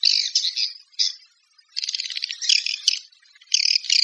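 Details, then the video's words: Swiftlet lure calls: short buzzy twittering bursts separated by brief silences, then a rapid rattling trill and further harsh chirps near the end. "Suara Walet Panggil"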